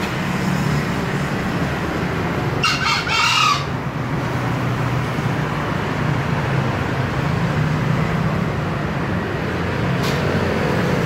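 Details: A green junglefowl crows once early on, a short scratchy two-note call of roughly a second, set against a constant low rumbling noise and a faint click later.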